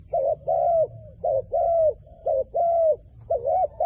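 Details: Wild dove drawn toward a trap, calling with a regular chain of coos, each short doubled note followed by a longer level one, about twice per second.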